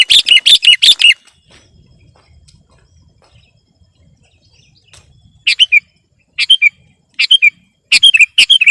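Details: Sooty-headed bulbul in competition singing aimed at pressing opponents: a loud rapid burst of sharp notes, a quiet pause with faint rustling, then short clusters of chirps repeated about once a second.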